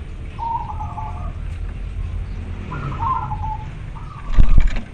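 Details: Local zebra dove male calling a female: three soft, rolling cooing phrases of quick, slightly warbling notes spread over several seconds, over steady low rumbling background noise, ending with a brief loud knocking sound.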